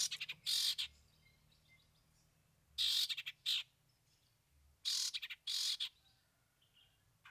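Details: Long-tailed shrike performing a song with three mimicked fill-ins. Loud, rasping, buzzy bursts come in pairs, each followed by short stuttering notes, with quiet gaps of about two seconds between groups.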